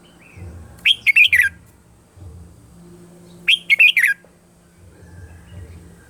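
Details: Red-whiskered bulbul singing in the morning for voice training: two slurred, warbling phrases of quick whistles about 2.5 seconds apart, with a constant low droning hum behind.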